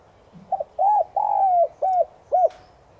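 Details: Morning lure call of a spotted dove (Streptopelia chinensis tigrina) in the 'giọng son' voice: soft mellow phrase of a brief double note, a long drawn coo and two short arched coos, over a quiet background.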